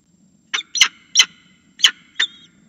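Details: Falcon on a nest-camera ledge calling to be fed: five sharp, harsh, clipped calls spaced irregularly over about two seconds, with a faint low hum behind.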